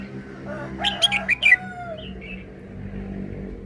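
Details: Short forest-style song from a caged red-whiskered bulbul: four sharp whistled notes in quick succession, overlapping a rooster's long crow. A soft slurred note follows, then steady background hum.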